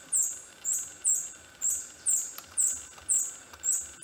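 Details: A Long-tailed Hermit (Phaethornis superciliosus muelleri) calling persistently at its lek in dark forest understory, Santa Bárbara do Pará, Brazil, June 2014, sings a thin, very high, squeaky note about twice a second, over faint background hiss.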